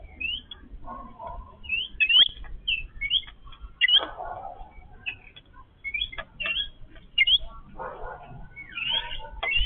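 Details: Yellow-billed babblers, a family feeding together, give squeaky, chirping chatter. The short calls come in loose bursts, with a few lower, rougher notes mixed in.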